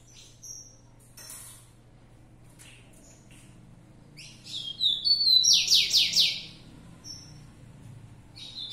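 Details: Rufous-collared sparrow singing the song style called fibrado: high clear whistled notes, then a loud buzzy descending trill of about six rapid strokes near the middle, with softer whistles and chips before and after.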